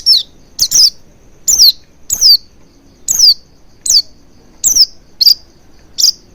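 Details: Oriental white-eye calling as a lure to stimulate singing and a wide-open beak: a fast run of about ten sharp, high, downward-sliding chirps, some paired closely, over a faint background hum.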